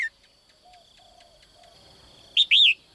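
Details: Female bird calling from her cage in the morning to draw a strong male: quiet at first, then two loud chirps close together, the second longer and bending down in pitch.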